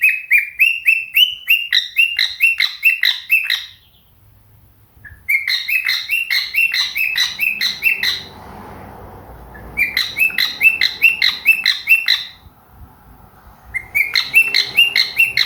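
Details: Morning singing from a pet cockatiel with budgie companions chiming in: bursts of rapid, repeated harmonic chirps, each rise-and-fall note evenly spaced, broken by short pauses with faint low rustling and a soft hiss.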